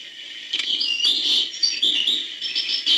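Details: Hbal-style song of a European goldfinch, a dense, rapid chatter of high tinkling notes and quick buzzy twitters running almost unbroken, recorded up close.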